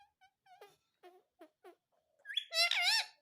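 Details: Pet green parrot saying "mummy" indoors: a few short soft squeaky notes, then a loud, harmonic-rich wavering call near the end.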